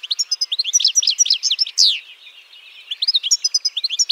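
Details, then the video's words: European goldfinch song: a fast, tinkling twitter of bright, high notes and buzzy trills, briefly pausing before resuming the same lively jingle. "BIRDS VOICE : The European Goldfinch Bird"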